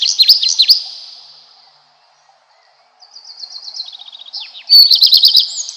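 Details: Redstart singing: short bursts of high, rapid twittering phrases with descending notes near the start, then a long silent gap, followed by a quieter stretch of fast repeated notes and a loud final burst.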